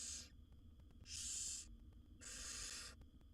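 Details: Wild barn owl young begging at feeding time in a nest box, seven chicks with their mother; three breathy rasps, each about 0.6 seconds, spaced around a second apart over low hum.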